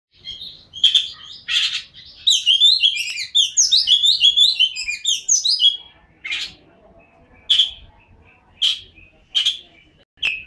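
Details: Oriental magpie-robin in lively song: loud buzzy and whistled notes, then a rapid tumbling run of varied chirps and trills for several seconds, followed by separate sharp high notes about once a second.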